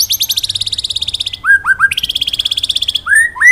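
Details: White-rumped shama song in the 'ngalas nembak' style, 'wit wit cerrrr', recorded to train other birds. Long fast high trills of about fourteen notes per second alternate with short pairs of downslurred whistles.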